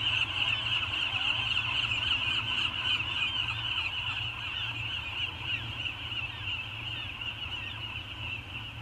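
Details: Two peregrine falcons, thought to be a pair, calling to each other while circling on Anacapa on a September 2019 morning; harsh, rapid repeated notes run steadily throughout over a constant high-pitched hiss and low rumble.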